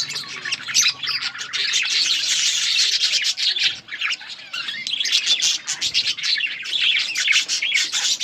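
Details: Dense chatter from budgerigars in a breeding colony, high squawky chirps overlapping without pause throughout.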